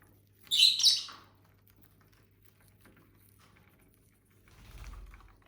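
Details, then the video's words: Pet lovebirds from a family group of several birds, eating and singing: a brief burst of high, scratchy chirps lasting under a second, then near quiet with a soft low rumble near the end. "Bird sounds for lonely lovebirds (Eating, Singing & Chirping Sounds)"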